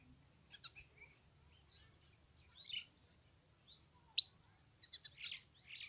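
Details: Himalayan goldfinch from Pakistan, trained, singing: short bursts of high, thin, buzzy chirps and twitters near 0.6, 2.7, 4.2 and 5 seconds, separated by silent gaps, with no other sounds.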